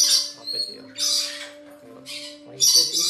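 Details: A young female blue-eyed cockatoo, captive-bred, gives four harsh, raspy screeches, each about half a second long, spaced roughly a second apart over a low steady hum.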